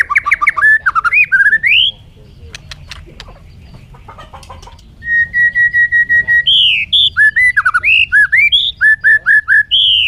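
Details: Loud, varied bird song: quick rippling whistles rising in pitch, a short quiet break with clicks, then a steady string of level whistled notes leading into looping, slurred, up-and-down phrases.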